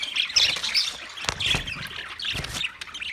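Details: Budgerigars in a short burst of bright, buzzy, high twittering chatter with a few abrupt clicks.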